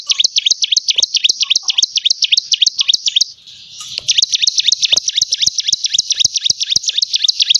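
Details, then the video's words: Persistent singing of a bar-winged prinia, a rapid run of bright repeated high chirps at a steady clip, broken by a brief scratchy pause before resuming at the same pace. "ciblek gunung gacor istimewa"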